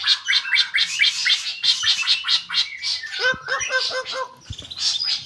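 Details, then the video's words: Varied White-rumped shama song, a fast string of high chirps and buzzy notes, then a repeated series of short dropping whistles repeated about six times before more scratchy high notes. "burung suara serba bisa"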